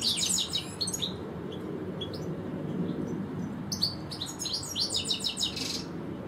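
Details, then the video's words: European goldfinch in a garden, one of two birds, opening with a rapid tinkling twitter, falling quieter for a moment with scattered notes, then bursting into fast jangling phrases and a buzzy note. "Goldfinch Stieglitz, Stillits, Jilguero Europeo,Jilguero, tikli, Chardonneret , Þistilfinkadellino"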